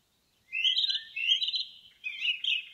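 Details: An Indigo Bunting sings in a forest: bright, high, slightly buzzy phrases of quick paired notes, three short bursts in under three seconds, against a quiet background.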